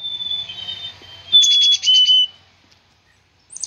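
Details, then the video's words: Black-capped chickadee: a long thin whistle, then a quick series of about five buzzy dee notes in a row, ending in silence and a brief high note. "black cap chickadee bird"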